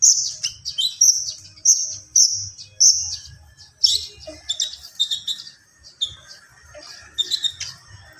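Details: Common iora in energetic song: five short high whistled notes repeated about every half second, followed by a jumble of chips and lower warbles, with a faint low hum throughout.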